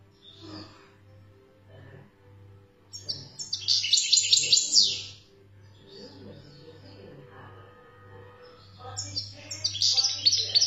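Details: European goldfinch from Algeria, described as wild type ('khloui'), singing: two bursts of rapid, bright, tinkling twitters and trills, high-pitched and jumbled, separated by quieter soft chirps, over a steady low pulsing hum.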